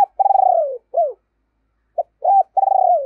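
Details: Decoy spotted dove giving a deep, booming call used to provoke wild doves: a long, low, pulsed coo that slides slightly down, a short arched note, a pause, then clipped notes and another long pulsing coo.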